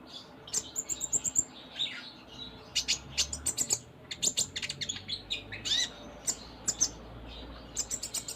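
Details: Konin, the kolibri ninja, in varied 'full isian' song: a steady flow of high chirps, thin whistles, slurred notes and short trills, with a faint low hum in the background.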